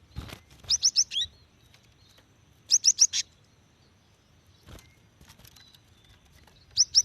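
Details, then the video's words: Female cinereous tit calling to a male, a lure for wild or young birds; short bursts of three or four rapid high whistles every couple of seconds, with clicks and faint background hiss between. "GELATIK BETINA UNTUK MEMANCING BUNYI"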